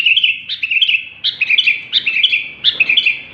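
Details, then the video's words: Sooty-headed bulbul singing vigorously ('super gacor'): short bubbly whistled phrases of three to five quick notes that dip and rise, repeated about every 0.7 seconds with brief pauses, clear and loud over a quiet background. "BURUNG KUTILANG SUPER GACOR"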